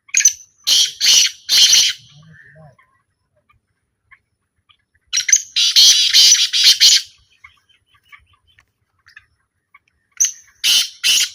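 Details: Black francolin during a small calling trial, repeating its grating call three times with long silences between: each phrase starts with a short whistled note, then three or four harsh, scraping bursts.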